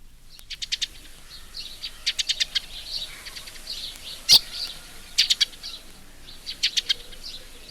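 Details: Eurasian tree sparrow in English suburban parkland and tree belts gives its incisive chipping call: sharp, high chips in quick clusters of three or four, with softer chirps between and a faint rural background.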